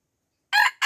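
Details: Aceh red junglefowl, with young birds around it and refusing to fight, opens a crow. Two harsh, bright bursts follow a short pause, and the second is cut off abruptly, against an otherwise silent background.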